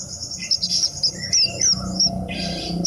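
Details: Horsfield's bush lark song: a lively run of high, thin chirps and short slurred whistles, with a few lower buzzy notes in between, over a faint low hum.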